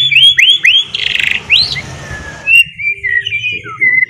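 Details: Murai batu, or white-rumped shama, singing ngeriwik as a lure for a bird to become a fluent singer: a series of bright arched whistles and a buzzy burst, followed by a long wavering high whistle and scattered short notes.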